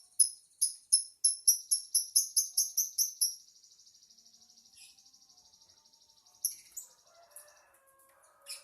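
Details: Lovebird song opening with a steady run of about fifteen high, sharp chirps, then a soft fast trill, scattered clicks and brief squeaks.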